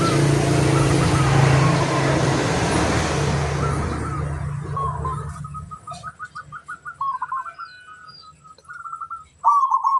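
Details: Local zebra dove song, used as a lure so other doves answer and sing. Heavy rumbling noise fills the first half, then quick runs of clipped, wavering mid-pitched coos, repeated in bursts.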